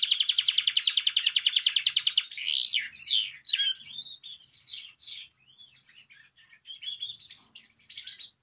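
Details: Canary song for stimulating other canaries to sing: a rapid pulsed trill for two seconds, followed by varied warbling, swooping and chirping phrases.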